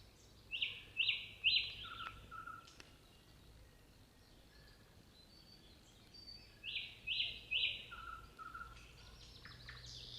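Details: Nightingale song: two bright phrases of fast repeated high notes, each with a lower whistled tail, separated by about five seconds of quiet, over a steady low hum.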